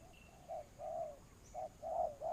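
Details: Spotted dove used as a ground decoy for trapping doves, giving low hooting coos in short-short-long groups, two phrases in quick succession, with a faint thin whistle from another bird early on.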